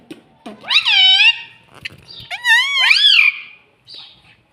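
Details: Pet parrot speaking "mummy papa" in a small room: two long, rich, nasal phrases that arch up and sag down, followed by a faint high squeak.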